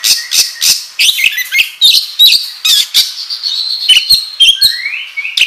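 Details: Oriental magpie-robin, gacor ngobra song meant as a lure for training kacer. Raspy chattering bursts give way to sustained whistles and a final upward-sliding note.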